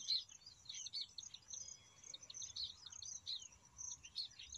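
Baya Weavers chatter in a busy stream of high, squeaky chirps and short wheezy notes, several birds overlapping, over a faint steady insect hum.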